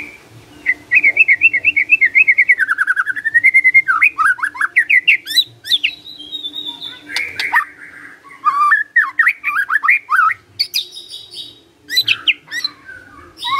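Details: Magpie-robin pouring out a long, lively song: a rapid, rhythmic chain of wavering whistled notes, high piercing squeaks, buzzy chatter and fluty slurs, over a faint steady low hum.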